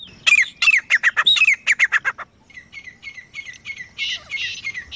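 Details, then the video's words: A pair of grey francolins calling in a village: a loud run of rapid, harsh repeated notes with sliding whistled tones, about three per second, then fainter, quicker scratchy notes trailing off. "Beautiful Sounds of Grey Partridge Pair | تیتر جوڑے کی آواز | Grey Best Francolin Pair Voice"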